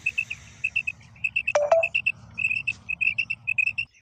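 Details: Female quail giving various kinds of calls: rapid series of short, high, clipped notes in quick pairs and triplets, with a brief lower whistled slur and sharp clicks near the middle over a faint low hum.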